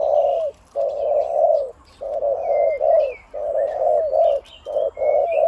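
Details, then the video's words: Spotted dove kept as a decoy bird, deep-voiced, one-'kuk' style singing the 'khu-ang' phrase almost throughout; low hollow coos in long runs, each broken by short gaps, with faint higher chirps from other birds behind. "นกต่อVIP 1กุกเสียงใหญ่คูอ่างเกือบตลอด ต่อดิน ต่อกิ่ง ต่อเพนียด"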